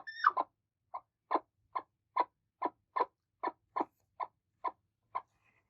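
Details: One of two angry, attacking broody hens opens with a short rising squeal, then gives clean, spaced clucks roughly every 0.4 seconds, each a short mid-pitched pulse.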